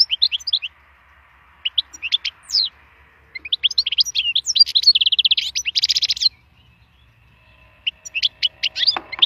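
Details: Wild European goldfinch in full song for song stimulation: varied liquid twitters and slurred notes building to a fast buzzy trill, a short pause, then more bright chirps.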